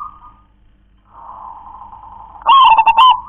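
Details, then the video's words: Local wild zebra dove, 'kong klar-ke-tek-kong' song type: a long, soft, level cooing tone followed by a loud, stuttering phrase of quick clicking notes over a rolling coo. "perkutut lokal warisan suara KONG‼️KLAR-KE-TEK-KONG"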